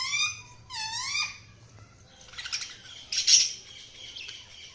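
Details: Budgerigar chirps: two warbling, rising-falling whistled notes, then a stretch of buzzy, scratchy chatter with a sharp squawk near the end; low hum in the background.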